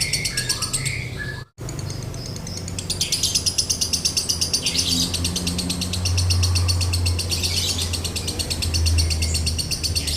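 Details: Lovebird singing in the long konslet style with a dry tone, used as a tutor and bait recording: after a brief dropout, a dense rapid run of harsh, chattering chirps begins and continues steadily, over a low steady hum.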